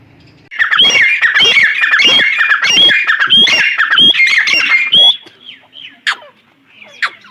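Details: Black francolin, known locally as Sindhi black pheasant and kept for sale, described as calling all day; a run of loud, harsh, squawking notes repeated rapidly for about five seconds, then a few fainter scattered chirps.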